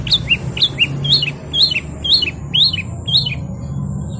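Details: Singing canary repeating one bright, high, two-part note that drops in pitch, delivered evenly about twice a second, eight times in a row, against a faint low hum.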